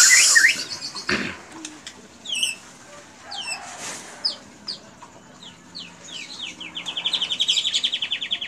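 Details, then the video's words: White-rumped shama song loaded with cililin imitations in long 'tembakan' style: sharp down-slurred whistles and chips in quick succession, then a fast, loud, high trill rattling for the last two seconds. "Murai Batu Isian Cililin Panjang Full Tembakan"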